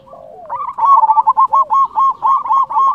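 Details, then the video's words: Local zebra dove calling loudly to provoke rival doves to answer, a soft lead-in note followed by a fast, regular series of rolling coos, about four per second. "Perkutut lokal gacor suara besar Terbukti Ampuh Bikin lawan nyaut langsung gacor"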